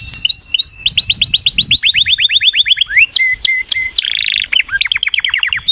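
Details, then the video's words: Canary song made of quick trains of rising and falling notes, a few sharp chips, a short buzzy burst and a closing rapid series, with a faint low rumble in the background. "تغريد كناري Chant Canaris singing canaries"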